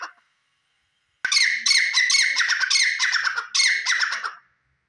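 Grey francolin male giving harsh, loud squawking notes in rapid bursts, about three per second, after a brief opening note and a pause.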